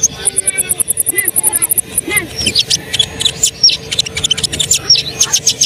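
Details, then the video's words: Asian pied starling singing hard to set other birds off singing: a rapid high ticking trill at the start, then jumbled chirps, whistles and clicking notes. "konin gacor bikin bahan terangsang ikut bunyi"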